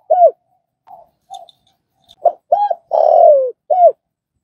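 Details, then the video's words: Spotted dove in a recording for training a newly caught dove to call: a short arched hoot, soft low murmurs, then a phrase of clipped hoots, a long falling coo and a closing short note. "Tiếng cu gáy"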